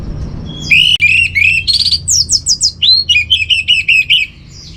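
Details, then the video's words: Orange-headed thrush, a kept bird, training song from Singaraja, northern Bali: rapid varied phrases of clear whistles and sharp chirps, mid to high pitched, delivered in a rhythmic run of short notes with brief gaps, faint low hum beneath. "Menstabilkan Burung ANIS MERAH Dirumah Baik EMOSI & Birahi dengan Mendengarkan Kicauan Masteran ini"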